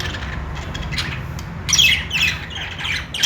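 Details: Budgies chirping: quiet scattered chirps for the first half, then a louder burst of scratchy, squawking chatter from several birds over a low hum.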